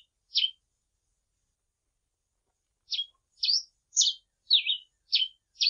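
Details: Grey pileated finch song in a clean, noise-free recording: a single crisp high chirp, a long silent gap, then six rapid, varied notes, some slurred upward and some downward, delivered at a steady half-second pace.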